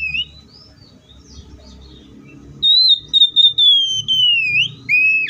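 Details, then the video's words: Oriental magpie-robin singing: a short high whistle at the start, a quiet gap, then a long, clear whistled note that drifts slowly downward in several pulses and flicks upward. A lower whistled phrase follows, over a faint low hum. "THIS COPSYCHUS SAUCARIS BIRD IS POWERFUL TO MAKE YOUR OPPONENT'S EMOTIONS!"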